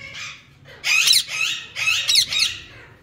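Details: Lutino (yellow) Indian ringneck parakeet, a pet talking parrot, speaking: a few harsh, raspy speech-like syllables in short bursts, indoors.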